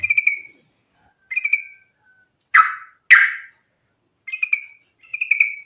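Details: Sooty-headed bulbul, fighting song meant to lure others into song: short trilled, ringing phrases repeated about every second, broken by two loud harsh raspy notes.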